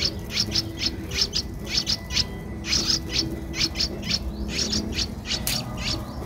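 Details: Streak-eared bulbul chick aged 12 days, recorded 14 April 2023 in Ubon Ratchathani, Thailand: rapid high chirps, often doubled, repeated continuously over low background hum.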